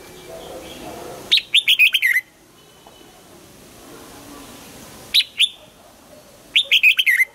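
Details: Red-whiskered bulbul singing in a morning song training session aimed at the double-note 'old forest' style. Three short bursts of bright warbled whistles come several seconds apart, with quiet pauses between them.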